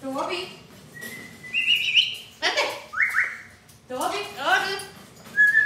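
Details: Talking pet parrot indoors: short speech-like syllables, then bright level whistles in pairs, followed by a burst of quick chattering word-like sounds and a final high whistle.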